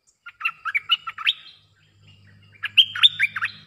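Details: Wild-bird lure recording of a bulbul: two lively phrases of fast, warbled, up-and-down whistled notes separated by a pause filled with a faint low hum.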